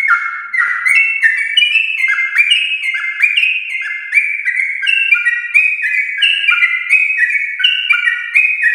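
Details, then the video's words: Champion-line yellow-vented bulbul delivering a long rapid song to stimulate caged bulbuls: a steady stream of stepped, warbling whistles climbing and falling, dotted with high clicks. "Trucukan gacor ropel panjang TRAH JUARA untuk pancingan trucuk rumahan"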